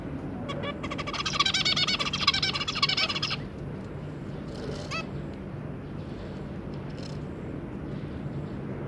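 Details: Zebra finches, a pair and their three juvenile young, 2 August 2022: a dense, fast, buzzy song phrase for about two and a half seconds, then a lone nasal call and quiet low-pitched background noise.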